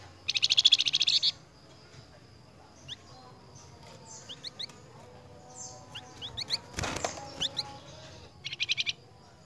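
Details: Flamboyan bird in full song for training caged birds: a fast buzzy pulsed series opens, followed by scattered short high chirps, a sharp noise burst, and a closing pulsed burst.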